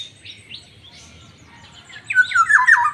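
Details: Black-naped oriole calling: faint, scratchy notes at first, then a loud burst of harsh, nasal squawks that slide downward, given in quick succession near the end over a low, steady background hum.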